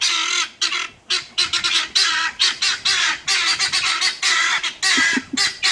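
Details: Guineafowl give harsh, grating, rapid squawks in quick bursts, several per second, loud and relentless, with brief pauses between volleys, while confronting a police dog.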